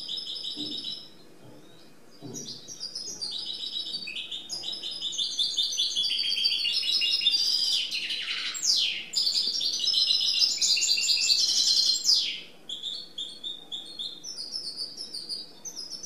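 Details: A goldfinch mule sings freely in a long, rapid, twittering song of bright trills and tinkling notes.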